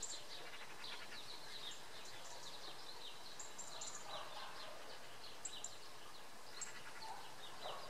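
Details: European goldfinch singing on a cloudy morning at Oksywie, Poland: faint, quick twittering and tinkling high notes, packed in loose bursts throughout, over a low steady background rumble.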